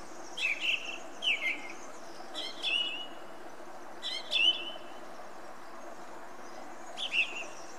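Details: Song thrush delivering short emphatic whistled notes with clicks, spaced out over several seconds and repeated in similar form, amid steady background hiss.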